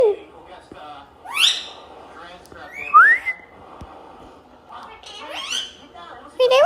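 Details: Talkative Indian ringneck parakeet vocalising in a mix of sharp rising whistles and speech-like harmonic chatter, with loud sweeping whistles near the start, middle and end and quieter babble between them.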